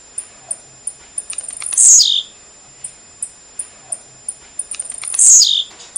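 A blue-black grassquit gives its short, buzzy, falling 'tiziu' phrase twice, about three seconds apart, between a run of thin, high ticking notes.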